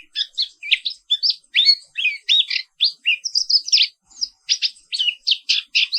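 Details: Morning rolling song of a black-capped white-eye, a species found only in Indonesia: quick high twitters and slurred whistles packed into phrases, one short pause near four seconds, with no other sounds.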